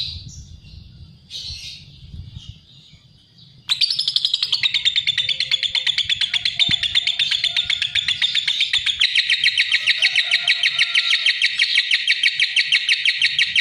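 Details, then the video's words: A few short squeaky notes from a lovebird, then a sudden loud, fast chatter of sharp high chirps that keeps going, growing denser and more pulsed. "Suara Kicau Burung LOVEBIRD"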